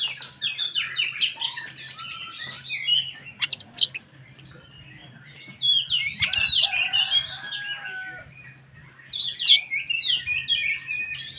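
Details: Oriental magpie-robin singing vigorously as a lure for rival magpie-robins; three loud bursts of dense warbling and harsh chatter separated by quieter pauses, with a low hum throughout.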